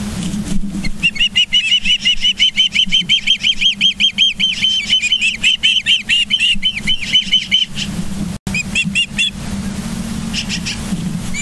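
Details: A morning nest recording from Charlo, Montana, 24 August 2023: an osprey gives a rapid chain of high, slightly slurred whistled chirps for about seven seconds. Scattered fainter notes and a steady low hum follow.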